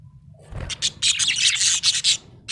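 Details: A happy budgerigar chatters in a fast, dense run of raspy, buzzy chirps that swell after a soft start, with a brief thump near the beginning.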